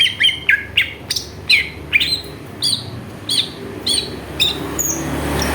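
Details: Greater green leafbird song used as a lure to set other birds singing: a steady series of short, sharp downslurred chirping notes, about two per second, over quiet background hiss.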